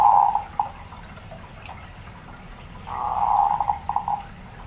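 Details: A kept zebra dove, reluctant to sing, gives a soft, rolling, purring coo that breaks into a few quick staccato notes, heard twice over a quiet background.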